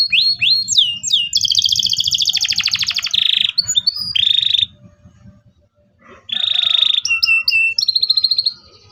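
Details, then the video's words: Local canary song intended to prompt young canaries to learn singing: varied whistles and long pulsed trills with buzzy rolls, a pause of about a second and a half, then more trills and repeated notes. "KENARI LOKAL GACOR CUIT CUIT EMOSI, PANCINGAN LENARI PAUD AJAR BUNYI"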